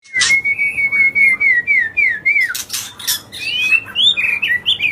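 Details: White-rumped shama, a songbird kept by bird-song enthusiasts, singing agitated and non-stop to provoke other birds: long clear whistles gliding up and down, mixed with sharp chips and harsh rasping notes in a rapid varied stream.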